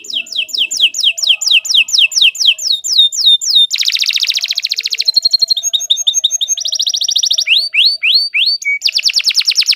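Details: Long-singing canary used as a master for training other birds, delivering repeated falling whistled notes followed by dense rolling trills and rapid chattering phrases, with changing tours throughout.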